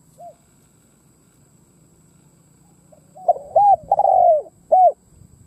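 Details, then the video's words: A spotted dove used as a decoy bird, cooing to lure wild doves, gives a soft single coo, then a quick run of four low, rounded, hollow coos, with a faint steady hiss behind. "Tiếng cu mồi đất gù gáy"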